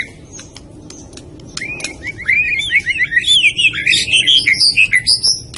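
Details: White-rumped shama (murai batu, Medan) pouring out a loud, fast series of slurred whistles that climb steadily higher, becoming shrill and chattering toward the end, after a quiet start with faint clicks.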